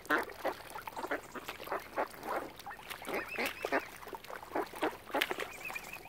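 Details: Around a swan family on Lough Neagh, Oxford Island, Ireland, ducks call in a busy mix of coarse quacks and chattering notes, with thin, high wavering whistles near the middle and end.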